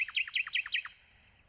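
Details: Nightingale song: five fast, loud, repeated chirping notes each dropping in pitch, ending with one high whistle.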